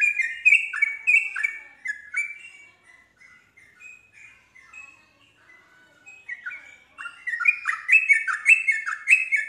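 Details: Yellow-vented bulbul singing to trigger replies from other bulbuls: loud, rapid, bubbling strings of short falling notes, a quieter stretch of sparse whistles midway, then dense energetic chatter returning.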